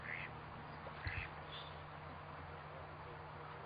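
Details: Long-tailed duck calling: three short nasal, slightly rising notes spaced about half a second apart, over a steady low hum and faint background noise.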